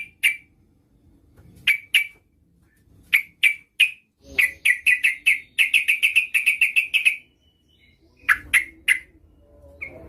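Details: Yellow-vented bulbul, a female calling to the male as a lure, giving loud, bubbly, chattering notes in short bursts, then a rapid run of about a dozen quick repeated notes, with quiet gaps between bursts.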